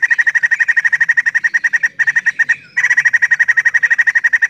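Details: Rapid, steady chirping from a female white-crested laughingthrush, about four sharp notes per second at an even pitch. The run is briefly broken by two short pauses, then resumes at the same pace.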